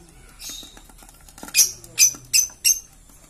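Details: Green lovebird giving a short run of sharp, high squeaky chirps, four loud bursts roughly every third of a second after a quieter start, with faint low rumbling underneath.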